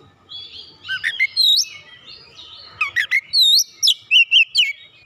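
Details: Oriental magpie-robin (kacer), agitated after provocation, singing its isian: soft thin notes building into crisp whistled phrases, then a bright sequence of looping, rising and falling whistles.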